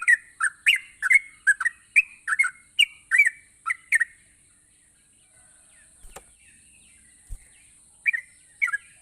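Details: Gacor song of a yellow-vented bulbul, played to spur idle bulbuls: a lively burst of bubbly whistled notes for four seconds, then near quiet with a click and a few soft closing notes.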